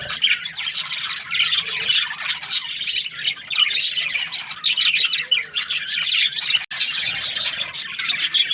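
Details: Happy budgie giving bursts of squeaky chirps and chattering warbles, rising and falling in loudness, with a sharp click and a short gap near the end.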